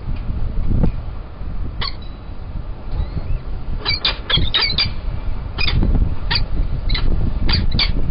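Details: Peregrine falcon chicks, three youngsters at Kingston College, fed at lunchtime on 21-04-21 from a cached carcass. Repeated sharp, squealing calls come in quick clusters, thickening midway, above constant low-pitched rumbling noise.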